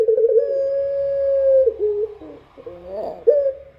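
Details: A Barbary dove sings at night: a long, steady, mellow coo lasting over a second, then shorter, lower, wavering notes, then a final brief coo.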